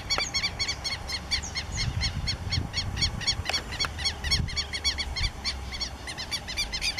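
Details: Southern lapwing (quero-quero) calling outdoors: a strident, harsh note repeated rapidly about four times a second throughout, steady and insistent, over low rumbling wind-like background noise.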